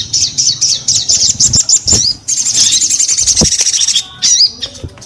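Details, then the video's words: High twittering from a sogon in full, persistent song: quick upswept chirps run into a fast sustained trill, then a few scattered notes, over low background rumble. "SUARA SOGON GACOR"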